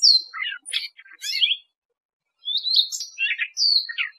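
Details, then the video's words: A Siberian rubythroat, recorded as a trapping lure, sings two bursts of rich, varied warbling mixing high thin whistles with lower scratchy notes, separated by a second's pause. "Tiếng chim Oanh Cổ Đỏ"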